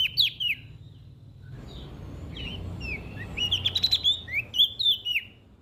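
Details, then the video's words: Olive-backed tailorbird from West Nusa Tenggara in full song, played to coax silent birds into singing; brief chirps open, then after a pause a quick run of bright, high, up-and-down slurred notes follows, with faint low rumble beneath. "PRENJAK DAUN NTB GACOR buat Pancingan Burung Malas Bunyi"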